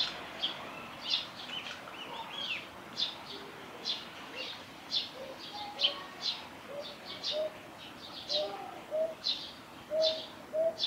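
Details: A Northern boobook at Hiratsuka Shinmei Shrine, Japan, on 21 May 2016, sings soft, low, paired hoots about every second or two, beneath frequent high, sharp chirps from other birds.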